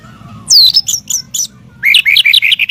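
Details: White-rumped shama song for training birds: a high descending whistle followed by sharp clipped notes, then a quick rolling series of warbled high notes.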